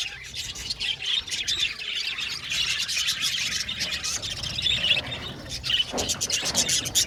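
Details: A colony of Australian budgerigars in an aviary chatters steadily, high twittering and squeaks overlapping, with a few sharper clicking notes toward the end.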